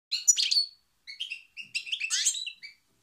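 A European goldfinch sings rapid, tinkling phrases of liquid twitters and buzzy trills, high-pitched and delivered in quick bursts with brief pauses.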